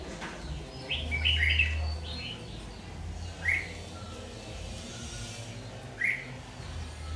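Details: Red-whiskered bulbul of the 'má lỡ' type, said to have a very fierce voice, sings during trapping with a decoy bird on 22 August 2019: one quick warbled phrase, then two short sharp notes several seconds apart, over a low hum.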